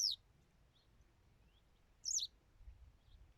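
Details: Western yellow wagtail singing: a high, thin note sliding downward, clipped at the very start, then a second sharp descending squeaky note two seconds later over a quiet background.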